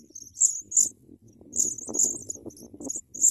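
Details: Sprague's pipit young begging loudly while receiving big worms. Loud, high, drawn-out squealing chirps in bursts about twice a second, with close rustling and scraping below.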